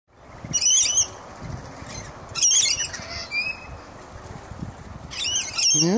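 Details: Rainbow lorikeets (Trichoglossus moluccanus) gathering for their evening feed in Queensland, Australia, give harsh, screechy bursts in three loud clusters, with thin whistled notes between and soft rustling below.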